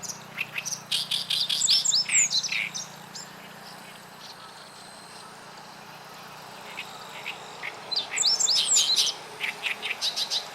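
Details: Oriental Reed Warbler singing at a river on 29 June 2013, the first heard there in two years: bursts of harsh, grating notes repeated rapidly, pausing midway, with clear whistled sliding notes from another bird mixed in.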